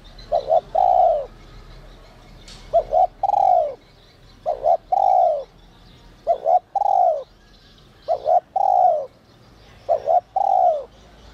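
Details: Spotted dove with a 'giọng còi' whistle voice: six steady phrases roughly two seconds apart, each a brisk two-note lead-in followed by a sustained, gently falling coo.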